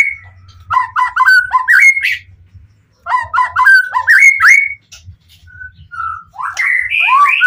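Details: Fired-up White-rumped shama singing to lure rival shamas into replying; two bursts of rapid stuttering whistled notes climbing in pitch, a brief pause, then a final run of slurred rising whistles.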